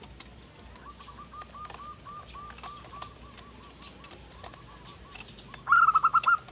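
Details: Zebra dove song used to attract wild birds: a soft, distant run of trilled cooing notes through the middle, then a loud close phrase of rapid bubbling coos near the end, with scattered clicks.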